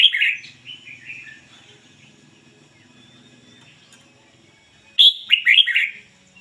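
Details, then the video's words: Decoy red-whiskered bulbul in clean ngoi bổi song: a fading series of warbled whistles opening, a long quiet stretch with faint notes, then a loud quick phrase of four bright slurred whistles. "chim chào mào mồi hót ngoi bổi giọng chuẩn ko lấn tạp ôm"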